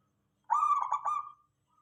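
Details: Local zebra dove song meant to make other doves respond, a single quavering, bubbling coo lasting under a second, rolling in three pulses, against an otherwise silent background.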